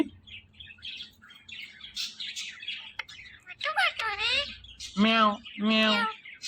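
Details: Male Indian ringneck parakeet kept as a pet, talking in scattered squeaks, then a curving harmonic phrase followed by two loud, nasal, meow-like syllables with rich harmonics, faint music in the background.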